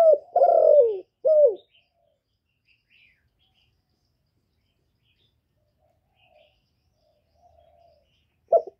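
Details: Spotted dove giving a low 'giọng thổ' style coo to stimulate males: a clipped first note, a drawn-out downslurred coo and a short final coo, then long quiet and one more coo at the end.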